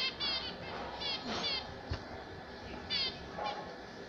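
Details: Pet zebra finches give brief bursts of nasal, stacked beeping notes in quick clusters, separated by short quiet gaps, with a soft murmur underneath.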